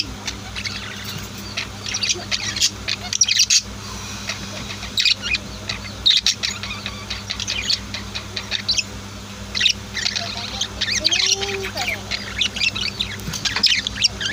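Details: Budgies and lovebirds kept at home chirp in waves: clusters of high twitters and squawks separated by quieter stretches of soft chatter, with a steady low hum underneath.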